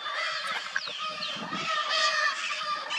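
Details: Wild Lear's macaws in Brazil, where they are endemic, calling during mating: harsh, raspy squawks with rich layered overtones over steady background noise, with a few thin rising whistles.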